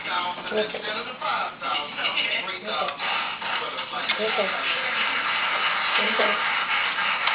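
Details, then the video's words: A Jenday conure says "kimmie kiss" in a raspy, speech-like voice and makes short kissing smacks, over quiet indoor room tone. "jenday conure saying kimmie kiss and making kiss sound"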